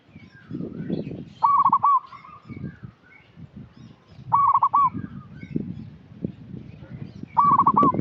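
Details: Actively calling local zebra dove, used to stimulate young birds still in training: three rolling, stuttered coo phrases spaced about three seconds apart, with murmuring low background noise between.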